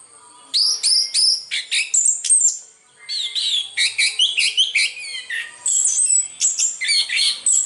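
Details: Orange-headed thrush from Indonesia singing a melodious song: rich, varied phrases of rapid high whistles, slurred sweeps and chattering notes in quick bursts, with a brief pause midway, no other sounds evident.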